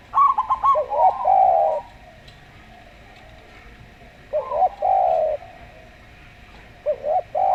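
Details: Zebra dove of local type with a slow song, mixed with a calm Javan Spotted dove: rapid stuttering notes running into a sustained falling coo, repeated twice with quiet gaps between.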